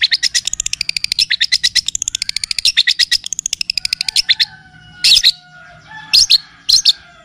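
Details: Long-tailed shrike (cendet or pentet) song for tutoring and luring: a long, fast rattle of high ticking notes lasting about four seconds, then a few isolated loud sharp chirps over a faint hum.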